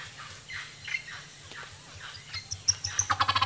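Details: Male ocellated turkey strutting in a flamboyant display, trying to attract a mate, at Chan Chich Lodge in Belize: after quiet forest birdsong, a rapid, accelerating run of loud, pulsed notes bursts out in the final half-second.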